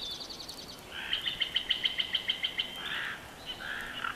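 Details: Bald eagle at a Big Bear Valley nest cam, 12 June 2021, giving a chortle: about ten rapid, evenly spaced high staccato notes, then harsher squealing notes trailing off.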